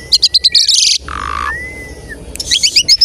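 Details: Asian pied starling singing as a lure for other starlings: a row of sharp clicking notes over a steady whistle, a harsh hissing burst, a long even whistle, then more rapid clicks.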